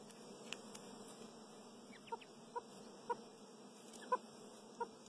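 Chukar partridge giving soft, short mid-pitched clucks, about five spaced irregularly over three seconds, over a steady high insect-like hum.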